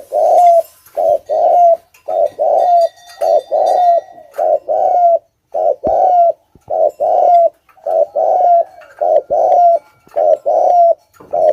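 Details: Spotted dove kept as a lure, repeating thúc gù coos: soft, low two-part phrases, a clipped note followed by a drawn-out coo with a sliding finish, evenly spaced for over ten seconds.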